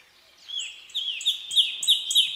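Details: Nightingale singing on a quiet midsummer night: a rapid phrase of high, sharp whistled notes, repeated about three times a second with a slight ringing edge, against faint background hiss.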